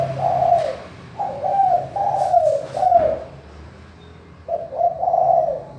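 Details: Spotted dove giving its clear manggung call, meant to coax lazy doves into calling: a coo, then a phrase of four mellow rolling notes with a few clicks, a quiet pause, and a final two-note coo.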